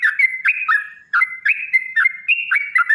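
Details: Sooty-headed bulbul giving long rapid song meant to provoke other bulbuls into singing: bright whistled phrases with sharp upward flicks and held notes, repeated about four times a second, with a brief gap near one second.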